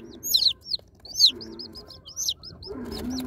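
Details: Unboxed baby chicks give scattered high falling peeps, a few loud and some softer, against a steady low hum and faint background murmur.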